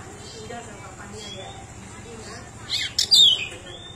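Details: Pied bushchat of the endemic Nusa Tenggara form, said to sing very vocally with learned phrases, gives after a quiet stretch of low murmur a sudden harsh scratchy burst ending in a loud descending whistle.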